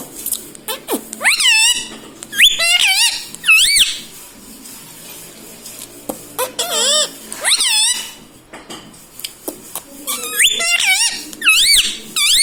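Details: Pet talking parrot repeating "mummy" and "papa": bursts of swooping, squeaky mimicked syllables, each rising and falling, separated by pauses, in a small room.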